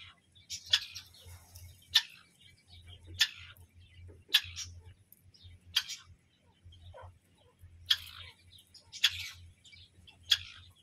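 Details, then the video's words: Grey francolin (teetar) calls: sharp broadband notes repeated roughly every 1.2 seconds, each a brief loud burst with trailing chirps, over a low steady hum. "teetar hunting sound"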